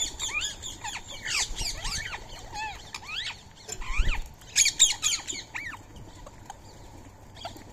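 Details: Wild rose-ringed parakeets at a morning feeding spot with soaked rice and corn, 20 March 2025. A run of loud, shrill arched squawks repeated quickly by several birds, then sparser calls, with faint rustling below.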